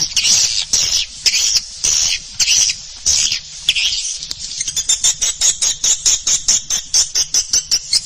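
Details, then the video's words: Swiftlet calling and roosting sounds twitter in high, buzzy chirps, first in longer rattling bursts, then in quick clipped notes repeated more than once a second. "SUARA PANGGIL DAN INAP BURUNG WALET"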